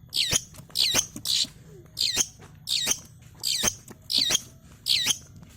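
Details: Long-tailed shrike still learning its sounds, used as a lure to get lazy shrikes singing: harsh, scratchy high notes sweeping down, given in about eight short bursts roughly every 0.7 seconds over a faint low hum.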